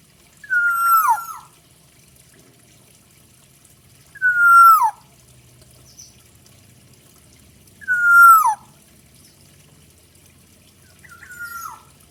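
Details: Black-naped oriole, locally kepodang hutan, in full isian song: four short nasal notes, each level then falling steeply, repeated roughly every three and a half to four seconds against near silence.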